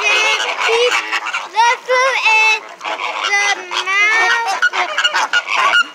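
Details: Several flamingos in captivity at SeaWorld call loudly: harsh, honking notes with rich overtones, some short and clipped, others drawn out and slightly rising, following each other in quick succession.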